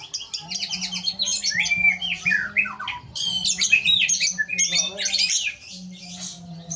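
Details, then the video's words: Caged greater green leafbird in full song, harsh rapid phrases: dense bursts of scratchy, chattering notes mixed with sharp whistled slurs, delivered almost without pause, with a steady low hum in the background. "Cucak Ijo Besetan Kasar"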